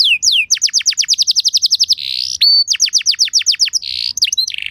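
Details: Canary in a luxurious lure song: quick downslurred whistles run into a long rapid trill, a buzzy roll, a brief pure tone, then more fast trilled notes and a closing buzz.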